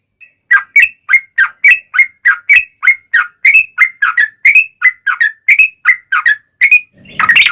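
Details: Yellow-vented bulbul ('trucuk') delivering a long 'ropel panjang' fighting-style song meant to prompt other bulbuls to reply. About twenty short, slurred, whistled notes come in a steady even string, ending with a brief noisy burst.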